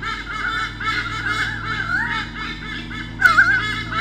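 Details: Male and female white-bellied sea eagles at Sydney Olympic Park, Australia, in 2013, defending their territory from swooping currawongs, nest camera: wavering, bending yelps in uneven bursts, louder near the end.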